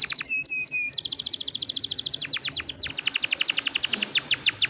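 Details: Canary in full song with long rolls, meant to lure other canaries into singing: a short steady whistle, then long runs of rapid, repeated sharp downward-sweeping notes that speed into a continuous trill.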